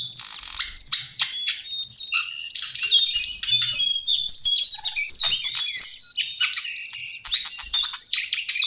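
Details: Lesser shortwing song, the cingcoang coklat, a long, tumbling run of high chattering and whistled notes, jumbled and hurried, with varied sharp chips woven throughout.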